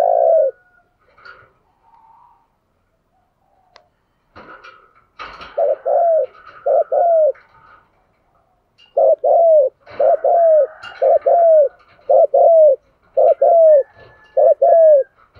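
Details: Spotted dove used as a decoy to lure wild doves, cooing insistently. After a few scattered sounds it delivers a long run of short, bowed, hollow coos in quick pairs and triplets.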